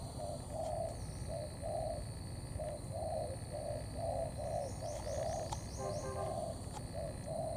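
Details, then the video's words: Spotted dove, a bổi bird, in a mix of thổ and cấn sấm cooing. Muffled short and longer coos alternate steadily over heavy low background noise, with a faint high chirping in the middle. "Bổi Thổ pha Cấn sấm"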